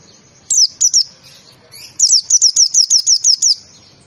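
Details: White-eye (pleci) in a 'tembakan' burst song kept as a masteran training recording: two thin, very high chirps, a short pause, then a fast run of about ten sharp downslurred notes in under two seconds.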